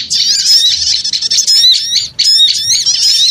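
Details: Small bird calls used as a lure to draw birds in: dense, shrill twittering with rapid rising and falling whistled notes, a busy continuous chatter broken by a short pause near the two-second mark.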